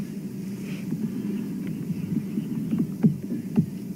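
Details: Steady low engine hum from a vehicle on a sunrise safari drive, with a few faint clicks and knocks near the end.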